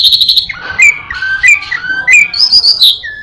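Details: Orange-headed thrush kept as a cage bird, singing mimicry of other birds: a rapid ticking burst followed by slurred whistles and a rising high note, bright and close.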